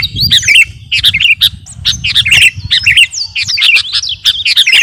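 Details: Sooty-headed bulbul of the Kutilang Garuda type singing vigorously as a training song for captive birds: busy string of high chirps, rising and falling whistled slurs in quick overlapping phrases, with a faint low rumble beneath.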